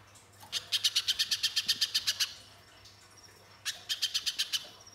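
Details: Active spiderhunter song used to trigger singing in other birds: a run of a dozen quick, shrill chips, a pause, then a shorter burst of seven, against a low steady hum.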